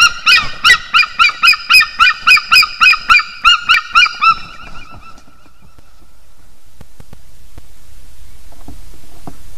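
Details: Male and female White-tailed eagles in Estonia duetting on their nest tree after mating at 6:56 am, 16 March 2021: a rapid series of harsh, ringing yelping notes for about five seconds, then fading to near silence.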